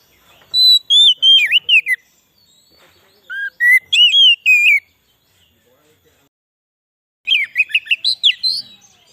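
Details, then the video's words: White-rumped shama song intended as a forest lure for wild shamas and to excite caged ones: three separate bursts of quick, swooping whistles and chattering notes, with quiet gaps between them. "suara burung kacer cocok buat pikat burung kacer di huta liat dan cocok buat menaikan emosi kacer"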